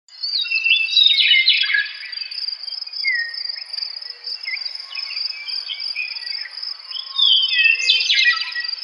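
A meadowlark sings bright, slurred whistles and warbling phrases that slide down in pitch, over a steady high insect trill.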